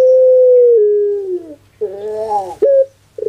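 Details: Puter pelung dove kept in Indonesia, in a cooing contest: a sustained smooth tone gliding gradually lower, a short gap, then a rough, buzzy, multi-toned gurgle and a clipped final note.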